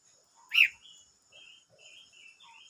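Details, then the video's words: Silver-eared mesia, dated 25 May 2022: one loud, sharp chirp near the start, then soft, thin whistled and warbled notes trailing after it against a quiet background. "chim ngú sắc hót"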